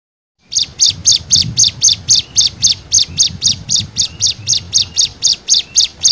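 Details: Cigun song in a nembak variation for tutoring birds: a very fast, evenly spaced series of short high chipping notes, nearly four per second, over a faint low rumble.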